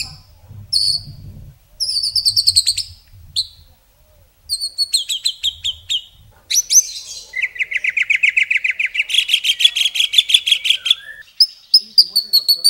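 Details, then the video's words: White-rumped shama delivering a masteran tutor song of luxurious fill and long bursts: high whistled notes and chirps, then an extended rapid, evenly pulsed trill lasting several seconds, over faint low background rumble. "Masteran Murai isian mewah tembakan panjang panjang super pedas | shama bird song"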